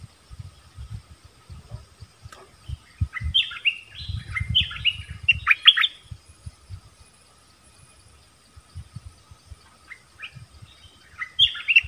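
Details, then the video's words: Rapid run of bright, falling whistled notes from a nok dok taeng during a 'double song' duel with wild birds, Thailand. A dense burst comes first, then a pause and quieter scattered phrases, with low thumping noise beneath. "เสียงนกดอกแตงEp.24 ดวลเพลงเบิ้ลกับนกป่า"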